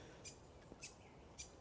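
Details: A subordinate, colour-banded helmeted honeyeater, a 2025 release bird at a supplementary feeding station in Yellingbo Nature Conservation Area, Yarra Valley, begs submissively to reduce a dominant bird's aggression: three thin, high, sharp chirps half a second apart over a soft low rumble.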